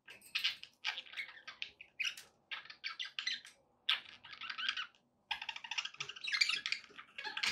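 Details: Several pet budgerigars chattering steadily indoors, rapid clicky and scratchy warbles strung together in dense runs, one short pause midway, with a faint low hum behind.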